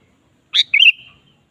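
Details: Sooty-headed bulbul singing energetically, used to provoke a kept bulbul into song: one crisp high note followed by a short rolling, liquid warble that trails off.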